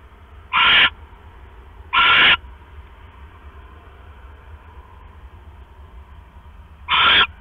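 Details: Nesting owl at night, October 5, 2015, male arriving with a rat for the incubating female; three short, harsh screeches, two close together, then a long pause before the third, with low steady hum beneath.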